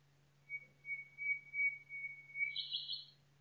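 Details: Forest nightingale delivering a long, level, pure whistle pulsing in about six swells, ending in a harsh buzzy rattle, all above a faint steady hum.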